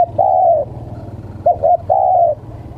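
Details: Spotted dove, meant to tease wild birds: a long mellow coo, then two short coos and another drawn-out coo. A low steady hum sounds throughout.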